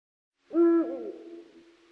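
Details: Eurasian eagle-owl, Europe's largest owl, giving a single deep hoot: a steady low tone lasting about a third of a second, bending into a brief lower tail that fades out.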